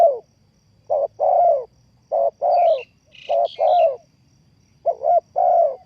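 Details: Spotted dove lure call for trapping: four soft low coo phrases in quick succession, each a clipped double note then a longer falling coo. Brief high twittering from another bird cuts in midway.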